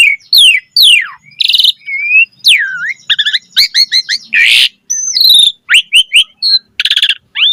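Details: Asian pied starling in full varied song, used to prompt other starlings: steep downslurred whistles, buzzy rattles, a hoarse rasping burst and crisp repeated chips, without background noise.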